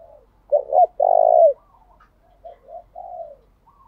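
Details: A calling decoy spotted dove used to lure wild doves in 'thúc' style: two fast hoots, a long deep coo, then a string of quieter gentle cooing notes.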